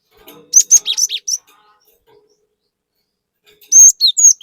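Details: Gelatik batu, or cinereous tit, in rapid 'gacor nembak' song used as a lure recording: a fast string of high whistles and buzzy notes, a two-second gap, then a second ringing, descending phrase.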